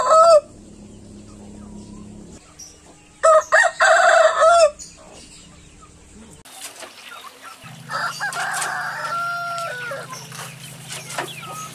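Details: Chicken crowing in separate spliced segments: a short harsh burst, a loud broken crow in the middle, then a fainter crow over a low steady hum.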